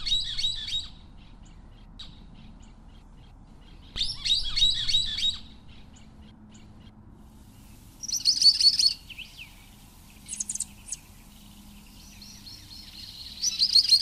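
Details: Scimitar-billed woodcreeper from south-central South America giving loud, high, clipped phrases of fast chirps, about one burst every four seconds, with shorter sharp notes between them and a faint low hum underneath.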